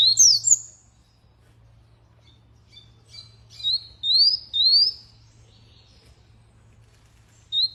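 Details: A canary gives sparse, clean rising whistles and soft chips separated by quiet gaps, over a constant low hum.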